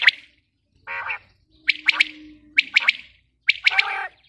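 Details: A female common quail (batair) gives a nasal buzzy note, then three groups of sharp, ringing triple notes about a second apart, with a faint low hum beneath.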